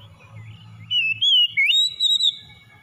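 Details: White-rumped shama song used to stimulate a stressed bird to sing: clear whistled phrases sliding between mid and high notes, a short burst lasting about a second and a half, with faint low rumble behind.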